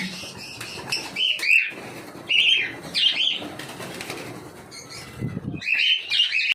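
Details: Cockatiel chirping in short bursts of two or three curved notes, pausing briefly between groups, amid light rustling and occasional thumps.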